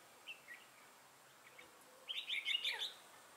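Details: Red-whiskered bulbul decoy used to lure wild birds, recorded 6 November 2018: a few isolated chirps, then a dense rapid chatter of bright warbling notes lasting nearly a second.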